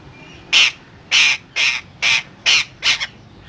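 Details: Parrot giving six harsh, raspy squawks, each about a quarter second long and spaced roughly half a second apart, with quiet gaps between them.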